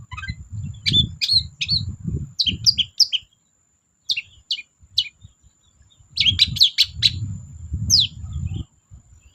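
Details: Energetic long-tailed shrike song used to lure silent birds: fast, varied bursts of sharp chattering and squeaky notes in clusters, separated by brief pauses, with intermittent low rumbling noise.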